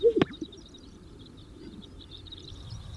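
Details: Male Greater Sage-Grouse displaying on a lek at dawn in southern Wyoming sagebrush steppe in spring, courting females; one sharp low popping burst with a click at the start, then quiet with faint distant high chirps.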